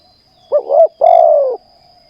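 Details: Spotted dove, a decoy bird for ground trapping, sings a mellow two-part coo followed by a long, steady, slightly falling croo in quiet surroundings.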